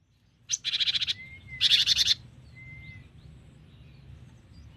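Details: Cinereous tit, gacor bird with a long, varied song: two harsh, buzzy rattling bursts about half a second each, followed by a thin, steady whistle from another bird against quiet background hiss.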